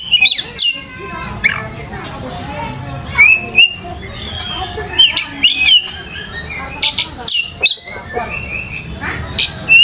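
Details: Lure song of an Oriental magpie-robin, used to get a kacer answering and singing; scattered bright whistles, sliding notes and sharp chips over a low background hum.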